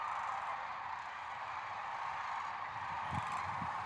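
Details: A dense, unbroken chorus of sandhill cranes gathered on the Platte River near Kearney, Nebraska, during spring migration: countless rolling, rattling calls blending into one steady roar with no single voice standing out.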